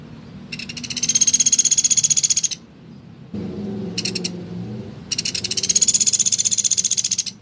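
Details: Woodpecker calling energetically, offered as a model for training white-rumped shamas, magpie-robins and green leafbirds: high, fast-pulsed dry rattles lasting about two seconds, with a brief burst in between and low background hum.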